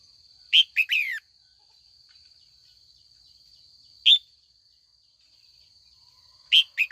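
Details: Female red-whiskered bulbul in training, calling on an afternoon to provoke old wild-caught males into fighting song; clusters of short bright chirps and falling slurred notes separated by gaps of several seconds, steady high-pitched hum behind.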